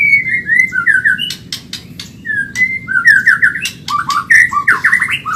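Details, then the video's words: White-rumped shama, Medan type, in a rapid training recording for caged songbirds: falling whistled notes, sharp clicks, then a quickening series of rising whistled notes over faint background noise. "Masteran burung murai Medan super cepat gacor"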